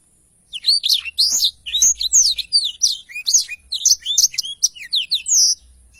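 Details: Energetic Black-throated Canary giving its long rolling song, used as training audio for songbirds: after a brief silence, a continuous flow of quick, varied high whistles and chips with downward-slurred notes.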